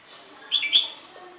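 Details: A red-whiskered bulbul near a house on March 12 gives a quick pair of bright, chirpy notes, the second with a sharp click, over faint background hiss.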